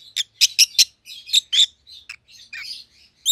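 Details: Two captive rosy-faced lovebirds, white-headed opaline colour mutations (a pallid ino and a green opaline), chirping: sharp high chirps in quick bursts with softer chatter between, a loud squeak closing.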